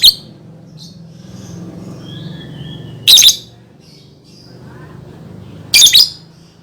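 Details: Lovebird song played as a lure to get young birds singing: two loud, harsh, buzzy chirp bursts about three seconds apart, with faint softer twitters between and a low steady hum beneath.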